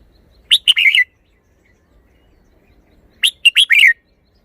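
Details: Red-whiskered bulbul, a caged songbird in Thailand, showing off its song style: two short bright phrases about three seconds apart, each a quick burst of sharp notes followed by a warbled, slurred whistle, over a quiet background.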